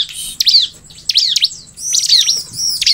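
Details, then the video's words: Sunda forktail singing in four short bursts, each a cluster of high sharp whistled notes with quick downward sweeps, separated by brief gaps of about half a second. "KUMPULAN SUARA BURUNG CIBLEK PALING AMPUH BIKIN CIBLEK MERESPON|| SUARA CIBLEK GACOR"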